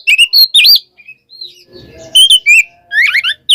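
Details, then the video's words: Kacer, the Oriental magpie-robin, calling a rival in 'kembar ngeplong' style: rising and falling whistled notes and chirps, a quiet gap with faint low rumbling, then more bright chirping phrases. "suara burung Kacer KEMBAR NGEPLONG memanggil lawan"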